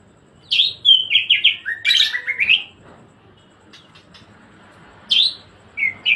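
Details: A tumbling burst of varied whistles, some high and sharp, others sliding down, from a greater green leafbird in 'gacor ngebren' song, followed by near silence and two isolated bright notes.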